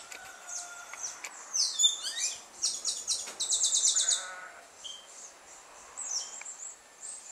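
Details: At dusk in Martinique, a Carib grackle gives a lively string of high squeaky whistles and rasping chatter, with steep rising and falling notes and a brief buzzy stretch, over a soft background hiss.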